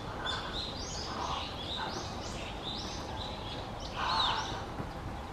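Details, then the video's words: A young crow whose eyes are still blue, filmed June 2020, practising its voice with odd, gurgling, warbled notes: about six short hoarse bursts in five seconds over a steady background hiss. "カラス幼鳥 面白い声"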